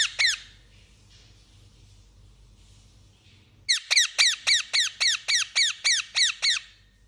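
Parakeet chirps: a single sharp squeaky note, a pause, then a rapid run of about a dozen high, falling chirps, roughly four a second.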